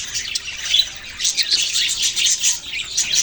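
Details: Budgerigars chatter nonstop, with high overlapping chirps and warbled twitters from a group of these Australian parrots.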